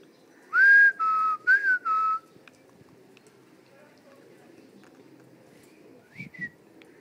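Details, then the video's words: Pet parrot kept at home whistling a short tune of clear, steady notes: one higher note, then a lower, level run with a small rise. Faint soft sounds follow. "Talking parrots"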